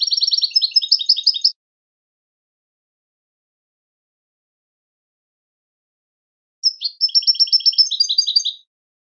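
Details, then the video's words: Two fast twittering goldfinch phrases, each about one and a half to two seconds, made of rapid repeated chirps and trills, divided by roughly five seconds of silence. "Super Song To Teach And Listen To Goldfinches Birds"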